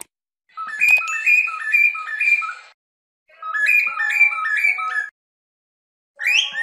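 A cockatiel whistles three bright bursts of quick, stepped notes that climb and drop in a tuneful, ringing pattern, separated by short silences.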